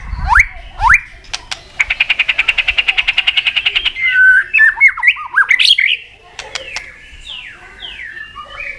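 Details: White-rumped shama singing continuously in a contest, with many varied forest-style phrases: two sharp upswept whistles, a fast even rattle of about twenty clicks, then tumbling slurred whistles and descending sweeps.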